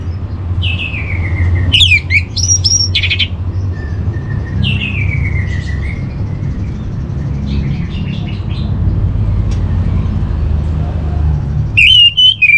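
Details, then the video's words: Anis merah, the orange-headed thrush, in a training song from northern Bali: downslurred whistles and sharp chips spaced across the clip, soft buzzy trills in the middle, then a sudden loud whistle; steady low rumble throughout. "Menstabilkan Burung ANIS MERAH Dirumah Baik EMOSI & Birahi dengan Mendengarkan Kicauan Masteran ini"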